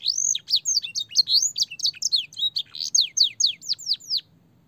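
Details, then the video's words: Canary training song with blackthroat and sanger fills, sung in a clear voice: an energetic run of piercing whistled notes that turns into a steady series of about ten evenly spaced down-slurred whistles before stopping. "burung kenari gacor panjang full isian blackthroat dan sanger suara jernih masteran kenari paud"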